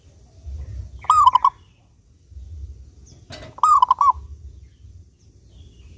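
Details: Clear, persistent song of a local zebra dove used to encourage other doves to sing. Two rolling coo phrases, each a sliding note chopped into quick beats, come about two and a half seconds apart over a low background murmur.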